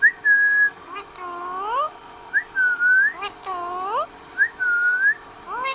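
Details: Pet parrot talking with its owner: long pure whistles alternate with loud upward-sweeping, harmonic, voice-like calls, the pattern repeating about three times.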